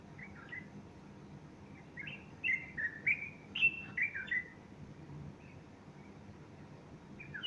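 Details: Male bulbul in morning song on 30 August 2015, a female standing next to him with feathers puffed out; a run of clear whistled notes, some rising and some falling, then a pause before a final phrase, with low background hum.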